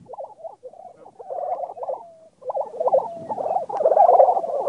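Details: Several Lesser Prairie Chicken calls from a lek on a Texas Panhandle ranch, where males gather to display in hopes of finding a mate; dense bubbling, cackling bursts run almost continuously, with a short break near two seconds, then build louder.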